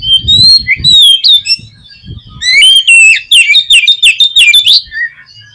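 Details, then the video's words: Oriental magpie-robin song played as a lure to make pet magpie-robins sing: loud, clear whistled phrases, sliding and warbling, in rapid bursts with short pauses and a low thumping underneath early on. "KACER KURANG EMOSI ?? PUTAR SUARA INI DI JAMIIN KACER KALIAN AUTO BONGKAR ISIAN"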